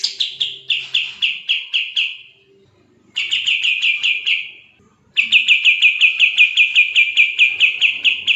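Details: Kapas tembak, the sooty-headed bulbul, singing fast dense gacor song meant to tutor other songbirds: three bursts of quick, evenly spaced chirpy notes, several per second, separated by short silent pauses.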